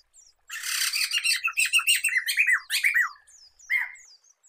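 A black-throated laughingthrush pours out a loud, rapid run of rich, varied whistles and chattering notes for about three seconds, then adds one short phrase.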